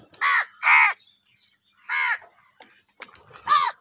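Crows give harsh, nasal caws, two quick ones, a pause, then two more hoarse calls over about four seconds.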